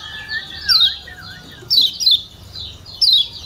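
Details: Yellow white-eye from Lombok, kept as a cage bird, calling to stir a quiet bird into singing: sharp high descending chirps at about one-second intervals, with softer lower whistled notes and other birds faintly behind.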